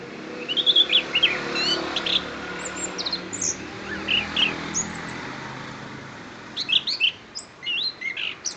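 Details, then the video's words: Orange-headed thrush of Kediri giving scattered high twittering phrases, quieter through the middle and resuming with a dense burst of chirps in the last two seconds. "Anis Kembang - Kediri"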